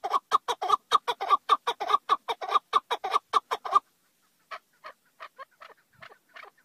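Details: Chukar partridge calling in quick, harsh repeated chuk notes for almost four seconds, then a short silence and fainter, scattered clucks.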